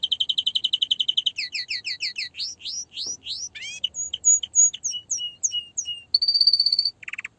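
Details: Canary song rich in tours: a rapid rolling trill, rising sweeping whistles repeated, spaced chirps alternating in pitch, a bright high trill, and a final low buzzy burst.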